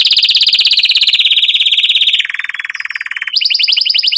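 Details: Atlantic canary in breeding condition, wanting to mate, singing a long roll: very fast, high, buzzy trills pulsing many times a second, then a steadier lower trill, then a return to the rapid high trill.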